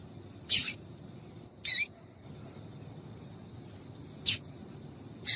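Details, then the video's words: Female yellow-bellied seedeater calling to excite males kept for singing tournaments: short broadband chip notes, a few spaced unevenly over five seconds, over a faint steady hum. "PIADO DE FÊMEA DE PAPA CAPIM PARA ESQUENTAR SEU PAPACAPIM"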